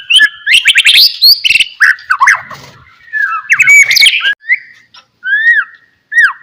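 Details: White-rumped shama 'gacor' song used to trigger other shamas: busy chattering and whistled phrases, then spaced, clear downward-arching whistles.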